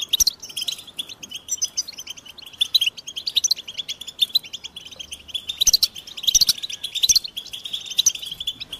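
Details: European goldfinch singing: dense, rapid twittering and tinkling chirps, high and bright, with louder bursts of sharp notes near the start and again from about the sixth second.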